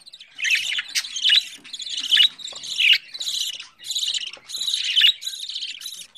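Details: Budgerigar chick on its fourteenth day, hand-raised at home by a hobby breeder: harsh, raspy, buzzy bursts of chirring, about one per second, each rising and falling in loudness, with a quiet background.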